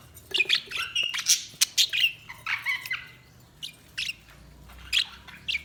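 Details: Budgerigars chirping: rapid bursts of short, bright chirps and squawky notes with harsh broadband clicks, coming in irregular clusters with brief pauses.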